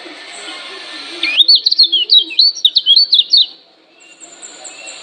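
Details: Challenging call of a Lombok lemon-bellied white-eye, used to goad other birds into replying: a rapid run of sharp, high twittering notes lasting about two seconds, rising and falling, after a cut from a hissy background.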